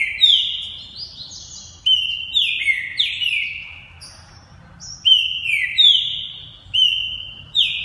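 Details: Multi-champion competition green-winged saltator from a Santa Catarina, Brazil breeder sings rapid bursts of loud descending whistles, phrase after phrase, with only brief gaps between them.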